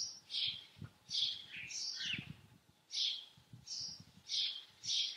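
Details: House sparrow chirping steadily: loud, high, slightly rasping chirps roughly every half second to second, one run sliding downward, with low rustling underneath.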